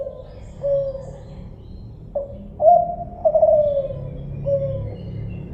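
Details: Spotted dove of the kind known as kelantan, cooing in soft, low, hollow notes. A few short coos lead into a longer, stronger drawn-out phrase over a faint, steady rumbling background.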